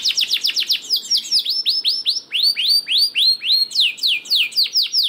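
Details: A canary sings rapid, sharply falling whistled notes, about four per second, sliding into a run of rising swoops and then higher chips; recorded as a lure to get idle canaries singing.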